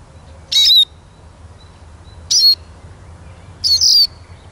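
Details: Eurasian siskin producing three high, wheezy downslurred whistles roughly every one and a half seconds, over a low steady hum.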